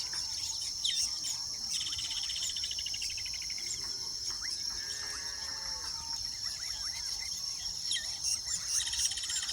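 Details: Nesting weaver birds chatter continuously: quick chirps, downslurred notes and buzzy rattling trills from several birds at once, set against a constant shrill insect drone.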